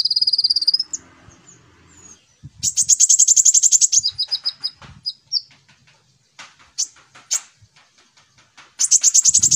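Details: Konin used as a lure for young kolibri ninja birds: high rapid trills open and close the sequence, with a long rattling phrase slowing into spaced chips in between, scattered sharp chirps, and low thuds.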